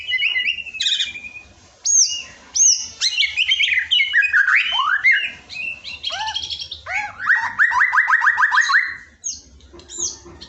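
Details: White-rumped shama masteran song for coaxing a quiet shama to sing: bright whistled phrases, quick rattling trills and a long buzzy series near the end, delivered in loud bursts.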